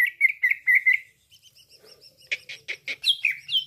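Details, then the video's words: Cucak ijo call used to lure birds for trapping: a run of short rich whistled notes, a softer stretch of faint notes, then loud varied chirps and slurred whistles. "PIKAT CUCAK IJO LAIN CEPAT RESPON"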